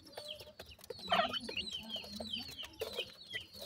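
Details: Feeding grey francolin chicks with the family group: thin descending whistled peeps repeat rapidly over a low murmuring cluck, with a brief louder burst of chirping near the start.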